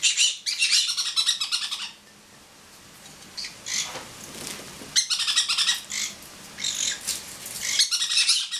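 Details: Pet pineapple conure laughing while perched on a person's head indoors: bursts of harsh, chattering, high squeaky notes in rapid runs, with quieter gaps and another bird bathing and talking nearby.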